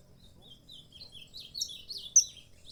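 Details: Saffron finch uttering soft, high, warbled chirps that run together, building to one sharp louder note near the end, against a low background murmur.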